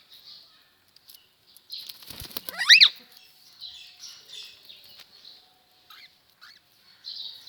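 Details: African grey parrot in an angry mood gives a single loud, harsh squawk that sweeps downward in pitch, against steady high-pitched chirping from other birds and soft rustling.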